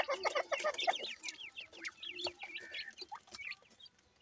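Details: Grey francolin chicks (teetar) call in quick succession, roughly three to four short upswept chirps per second in an uneven run, fading toward the end, with faint clucks beneath.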